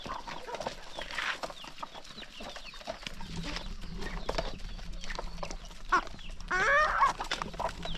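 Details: Chickens at morning feeding in the countryside, a hungry flock gathering excitedly; soft scattered clucks and pecking clicks, with a louder burst of squawking clucks near the end.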